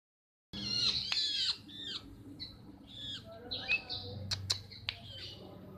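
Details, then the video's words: Long-tailed shrike in breeding condition singing a varied, harsh chattering medley of buzzy notes, downslurred squawks and sharp clicks, loud for the first second then softer scratchy phrases with low background hum. "Pentet birahi gacor"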